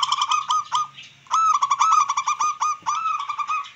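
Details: Zebra dove, local wild type, singing to provoke rivals and raise breeding drive. Dense, nearly continuous runs of quick rattling and bubbling notes with short breaks, and faint low sounds underneath.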